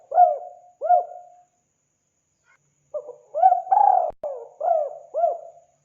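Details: Spotted dove sounds meant to bring wild doves in: two hooked coos, a pause of about a second and a half, then a phrase with a short lead note, a long drawn coo and further arched coos.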